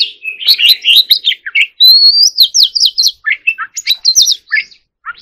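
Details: White-rumped shama singing energetically for a song contest, mixing scratchy chatter with a long clear rising whistle, then repeated slurred notes and rapid doubled phrases, ending in a short pause.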